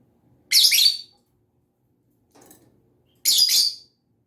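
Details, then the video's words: Lovebird voice: two strident, raspy chirps about two and a half seconds apart with a faint soft noise between them. "Lovebird SINGING and CHIRPING sounds"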